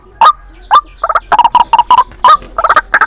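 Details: Lure call for trapping white-breasted waterhens: short, nasal, croaking notes in quick uneven clusters over three seconds.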